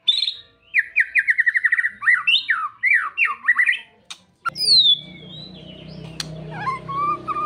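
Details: White-rumped shama song played to coax a caged bird into its full repertoire; rapid run of rattling repeated notes and swooping whistles, then after a pause a high descending whistle over buzzing low background noise.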